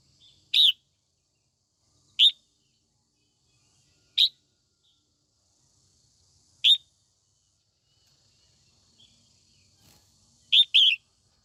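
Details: Female red-whiskered bulbul singing in the morning to stir up males, giving brief bright chirped notes roughly every two seconds, five bursts with the last one doubled, against a quiet background.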